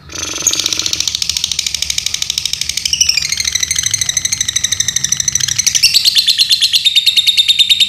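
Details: Pet lovebird from Central Java, Indonesia, giving an unbroken twittering trill of quick high notes with shifting pitch, becoming louder and more tonal in the last seconds.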